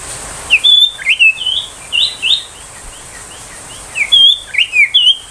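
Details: Ashy tailorbird 'tembakan' song, a tutoring and luring recording for magpie-robins and young wild tailorbirds: two phrases of brisk, high chirped notes, each a cluster of six or seven rising and falling slurs, with a pause between.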